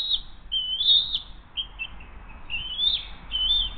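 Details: Hays nest, bald eagle mother delivering the day's second fish and feeding the eaglet on the morning of 20 June 2023: a handful of high, squeaky whistled notes, some drawn out and wavering, over a quiet low rumble.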